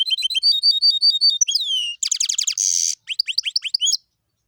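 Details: Goldfinch and canary hybrid, described as a Tibetan and 'tuitero' style singer, delivering a loud, varied high song: rapid repeated chirping notes, a descending whistled slur, buzzy trilled bursts and a harsh rattle, then rising chips.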